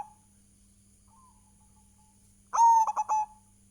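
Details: Local zebra dove singing as a lure for other doves: after a long quiet stretch, one mellow cooing phrase arrives, a held clear note then three fast short notes, over a steady low hum.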